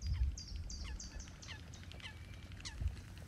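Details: Black-winged stilt at Hania's Polder, Nieuwe Dordtse Biesbosch, giving a run of thin, sharp, downslurred notes, two or three a second, over a steady low rumble of wind.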